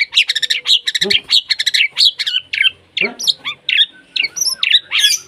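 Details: White-rumped shama in breeding condition, singing to call a rival, packed with varied material: rapid dense bursts of clicking, chattering notes interspersed with loud whistled and squeaky phrases, delivered almost without pause.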